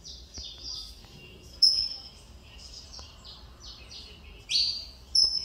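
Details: Captive male-line saffron finch of the mineirinho variety, son of a Cobrap vice-champion, singing again after nearly two years of poor feathering; short high whistled and slurred notes, some falling, come in scattered bursts with quiet gaps between.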